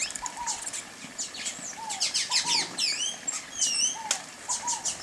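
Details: Sayaca tanager singing: squeaky, high twittering notes with sharp upward and downward slurs, delivered in quick bursts, while a lower, soft, down-slurred whistle repeats about once a second in the background.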